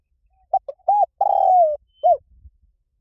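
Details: Spotted dove coo in the liu tan style, played to lure and train birds to answer: short hollow notes, a drawn-out wavering coo sliding slightly down, then a final rounded note, very clean background.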